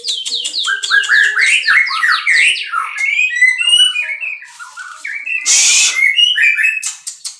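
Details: White-rumped shama from a breeding setup giving fast varied whistled song, with rapid repeated notes, a low steady tone at the start, and a harsh noisy burst.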